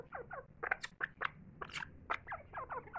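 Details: Grey francolin feeding its chicks: a run of short, high, down-slurred peeps, about four or five per second, with a few sharper clicks mixed in over a faint low hum.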